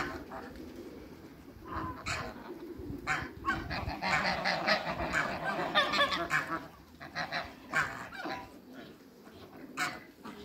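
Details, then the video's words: Eight African and Toulouse geese on a farm give scattered, somewhat distant honks, a busier burst in the middle, over a rough background rumble. "MEETING EIGHT AFRICAN & TOULOUSE GEESE"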